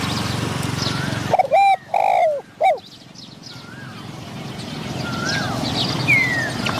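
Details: Spotted dove kept as a decoy to lure wild doves; a loud three-part cooing phrase of low, hollow notes with a final drawn-out coo, then quieter distant bird chirps and rustling background.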